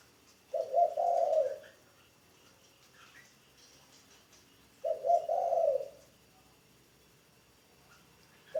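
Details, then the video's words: Spotted dove, a caged ground decoy bird in training, cooing: two low, soft, throaty phrases of about one second each, roughly four seconds apart, with a third beginning at the end; quiet indoor background. "Tiếng chim cu gáy mồi đất"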